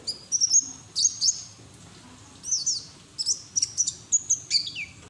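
A white-eye gives rapid, high, thin twittering bursts with sharp up-and-down slurred notes, delivered in quick clusters with brief pauses between them.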